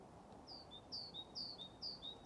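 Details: Great tit song recorded 21 February 2023 at Lindgården retirement home, Haga, the bird practising persistently: clear ringing two-note phrases, a high note dropping to a lower one, repeated five times about every half second.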